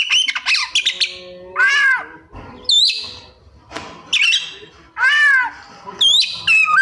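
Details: Kacer, the Oriental magpie-robin, singing 'isian' borrowed phrases: scratchy rapid notes, loud arched nasal calls, high looping squeaks and wavering whistles, with brief quiet gaps.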